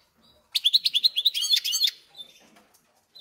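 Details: A goldfinch × canary hybrid held in a cage, only days after arrival, sings a quick run of about ten bright repeated chirps that blur into a short rattle, followed by faint twitters.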